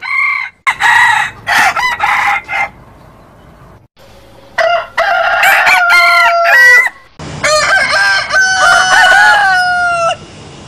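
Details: Roosters from a multi-bird crowing compilation: a series of short choppy calls, then two long ringing crows, each rising to a held note before trailing off.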